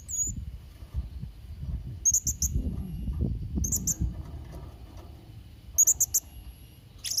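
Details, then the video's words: Tutor recording of a vocal Blue-crowned hanging parrot for training young birds: three short clusters of piercing, very high squeaky chirps spaced a couple of seconds apart, with a soft low background hum between them. "Variasi & Isian Suara Serindit Trotol Gacor"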